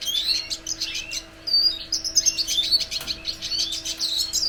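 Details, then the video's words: High, fast twittering song of a red siskin, mixing thin whistles, scratchy buzzes and quick trills, with a brief lull after one second, over a faint steady hum. "Cardenalito de Venezuela cantando!!"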